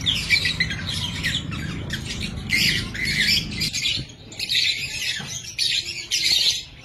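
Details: Young lovebirds, the offspring of captive aviary birds, giving harsh, shrill squawks and chattering calls in overlapping bursts, with low background rumble.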